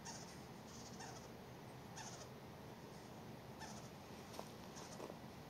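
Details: Western screech-owl fledglings (two) give faint, raspy, hissing begging calls, wanting food, short bursts spaced irregularly about a second apart over steady hiss, at night in dark woods while an adult shreds and feeds them a Western Tanager.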